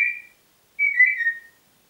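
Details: Pet Congo grey parrot from Diebach near Hammelburg, Germany, 4 April 2012: a steady high whistle fades out, then after a short silence a longer whistle wavers and slides slightly downward.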